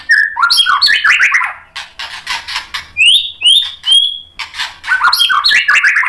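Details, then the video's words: Varied white-rumped shama song meant to goad other shamas into singing: fast descending warbled runs, harsh rasping bursts, then three clear rising whistles, closing with another quick tumbling warble. "MURAI BATU GACOR MEMANCING EMOSI jadi NYAUT BUNYI BONGKAR MATERI ISIAN | PANCINGAN MURAI"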